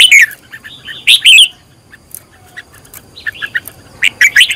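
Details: Red-whiskered bulbul, kept for training as a decoy singer, gives short bright warbling phrases, a loud burst at the start and another near one second, then softer scattered notes.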